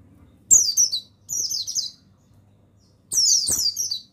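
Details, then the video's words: Mountain white-eye, buxtoni male, in a recording for training other birds: three rapid, high-pitched chattering phrases, each falling in pitch and lasting under a second, separated by short silences. "Begini Suara Pemasteran yang Untuk Pleci Bustomi Bahan Bikin Burung Pleci Bustomi Gacor Ngalas"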